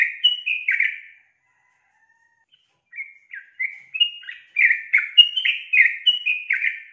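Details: Female yellow-vented bulbul calling for a male; a short burst of gurgling notes, a quiet gap, then a long lively chatter of about a dozen bright, warbled chirps.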